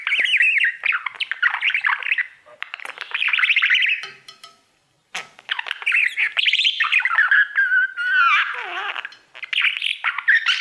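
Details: Budgerigar kept as a pet, warbling at its mirror in a long stream of squeaky, trilling chatter with a short silent break midway and a sweeping descending whistle near the end.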